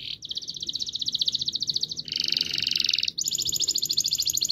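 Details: Canary in full song with long rolling trills, played to coax silent canaries into singing: continuous high rapid trills changing pitch and texture every second or two, with barely any pause.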